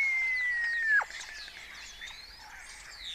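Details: Early-morning starling colony in Cabañeros National Park, Spain, rivalling with imitated songs of kites, orioles and quails; a long clear whistle slides down and stops abruptly, then a soft chorus of high whistles and chatter follows.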